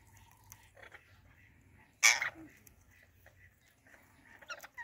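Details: An Indian ringneck parrot greeting another ringneck gives one loud, harsh squawk, with softer chattering notes before and after in a quiet room.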